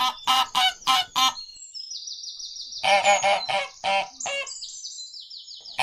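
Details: Wild duck, a species found near ponds, swamps, rivers and streams, giving loud, nasal, honking calls in quick bursts of four or five, with a thin, high whistled series in between.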